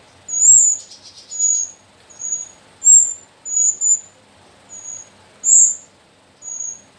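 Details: Four young Sooty-headed bulbuls, three female and one male, taken from the slopes of Mount Sumbing and being reared. Piercing high chirps sound at irregular intervals of about a second, with one brief buzzy burst near the start.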